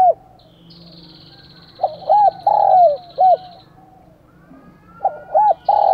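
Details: Spotted dove decoy calling wild doves in the morning, giving two loud coo phrases of rounded, arched notes and a sustained final coo, with a faint high thin tone and low background hum between them.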